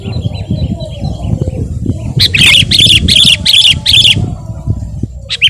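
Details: Actively singing sooty-headed bulbul, recorded as training and provoking song for other birds: a burst of five harsh, buzzy, evenly spaced notes with whistled centres, then a lone note at the end, over constant low hum.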